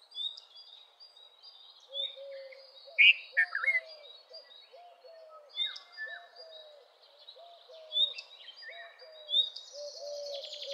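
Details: Red-vented bulbul giving one loud, gurgling two-note phrase early on, amid a chorus of other birds with repeated low soft notes, high thin whistles and a scratchy rattle at the end.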